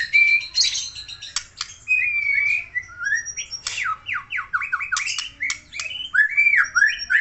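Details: Aceh white-rumped shama pouring out a lively song of sharp chips, short whistles and a run of rapid downslurred notes, phrases changing every second or so with scratchy accents.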